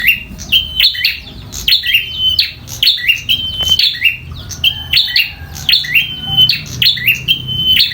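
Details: Local bar-winged prinia singing vigorously in a fighting bout: sharp high notes, each followed by a steady, level whistle, repeated roughly once a second, with faint low hum underneath.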